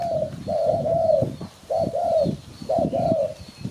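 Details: Lure sound of a spotted dove for trapping birds: three clear phrases, each a brief coo followed by a longer level hooting note that drops at the end, with soft knocking noise and faint high calls between.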